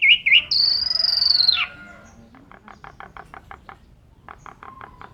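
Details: Indonesian Asian pied starling singing a gacor full isian lure phrase: two quick squeaks lead into a long loud high whistle that drops sharply at the end, followed by a soft series of quiet ticking notes.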